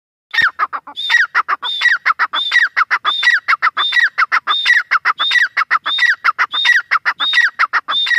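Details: Grey francolin, known locally as teetar, calling loudly in a fast rhythmic series of harsh, ringing phrases, each with a high whistled note followed by a descending slur, repeated about every 0.7 seconds without pause.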